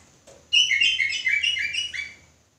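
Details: Sooty-headed bulbul singing in ropelan style, agitated and persistent: a burst of about one and a half seconds of fast, bright chirping notes, stacked and rolling, after a faint lower note and before silence.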